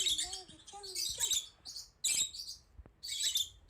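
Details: Female rosy-faced lovebird, a pet in a panic at seeing herself on screen, gives loud buzzy screeches in clusters, opening with soft, rising whistled tones.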